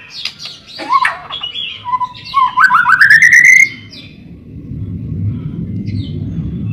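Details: Busy-singing white-rumped shama, a luring and tutoring recording: varied chirps lead into a fast rising, rippling trill, then the song stops and leaves a low humming background.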